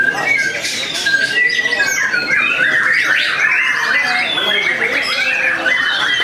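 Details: Contest-simulation recording of caged white-rumped shamas at a Tasikmalaya, Indonesia breeding farm: a busy tangle of shrill whistles, scratchy chatter and sliding notes, the loud kretekan style with mimicked material sung without pause.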